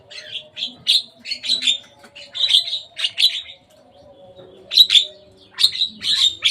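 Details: Javan myna playing atop a cage gives a steady series of rough, clipped chirps roughly twice a second, pausing briefly before more loud squawks, with a faint low hum behind.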